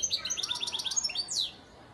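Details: Breeding sire European goldfinch from Antalya, Turkey, 2018: a fast run of high twittering notes, then a quick descending buzzy sweep that ends the phrase.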